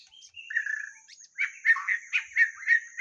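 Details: White-rumped shama singing in lure playback: a drawn whistle followed by a fast run of rich, bubbling repeated notes, about three per second, with a thin high whine in the background.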